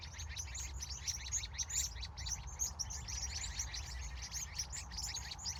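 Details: California evening at sunset with many birds chirping together: continuous high, twittering chirps crowding over one another throughout, with a low droning hum underneath.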